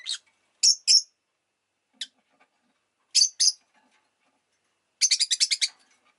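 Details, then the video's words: Rosy-faced lovebird chirping in shrill, clipped notes, often in doubles, ending in a fast rattling run of about eight rapid chirps. "Lovebird Chirping Sounds"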